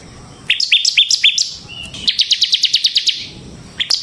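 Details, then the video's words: Bar-winged prinia (ciblek semi) singing in semi-gacor, ngebren style, used as a lure for training songbirds: a short series of sharp high chips, a pause, then a faster run of about a dozen clipped notes, then a brief final burst. "suara burung CIBLEK SEMI GACOR Ngebren Ampuh untuk Pancingan Ciblek Kristal dan Masteran Ciblek"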